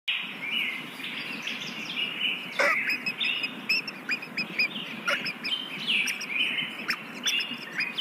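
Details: Very young kingfisher chicks being fed in the nest: a dense stream of short, high chirps, some rising and some falling, with sharp clicks and knocks scattered through.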